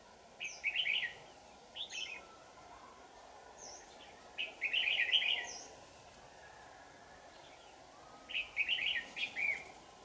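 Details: Red-whiskered bulbul, a 'shrimp-back' bird used for trapping, singing intensely on 4 January 2018: short bubbly warbled phrases roughly every two seconds, some with a thin high note before them, then a long pause and more phrases. A steady background hum runs throughout.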